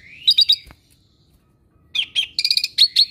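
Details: Kept Asian pied starling, a bird described as never silent and skilled at copying other birds' voices, gives two bursts of high chirps, a triple note near the start and a busier run of repeated tweets after a pause.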